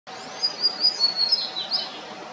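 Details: A yellow-bellied seedeater (Sporophila nigricollis) on Comandatuba Island, Bahia, Brazil, in October 2023, sings a quick series of high, thin whistled notes, some slurred and buzzy, about five per second, over a steady hiss.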